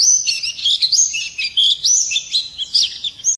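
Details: Morning song of a white-eye, a continuous bright, squeaky warble of quick rising and falling high notes.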